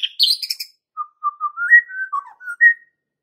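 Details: Lure song of a white-rumped shama, described as calm but sharp, meant to provoke very young and young forest fighter birds. High chattering notes, then a string of short, pure whistles climbing and dipping, with separate clear gaps between them.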